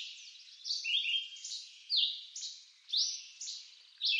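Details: Red-eyed vireo (Vireo olivaceus) singing in eastern North American woods: short, high, slurred whistled phrases, each rising or falling, about every half second with brief pauses between.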